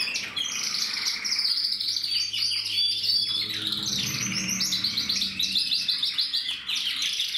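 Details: Mosaic canaries bred in captivity, recorded in 2024, singing a sustained rich song of quick trills, buzzy rolls and repeated high chirping notes, with brief pauses and a soft low hum in the background.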